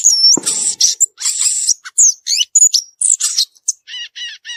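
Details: Violaceous euphonia song from the wild: a high whistle, buzzy bursts and quick zigzag notes, closing with three evenly spaced, ringing harmonic chips.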